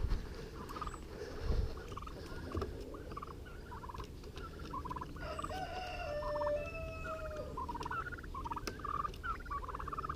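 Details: Four young farm turkeys, a few months old, three blue slate and one white, believed two males and two females, call as they are let out into their outside pen. Short, bright peeping notes come in quick bursts over rustling and low background noise.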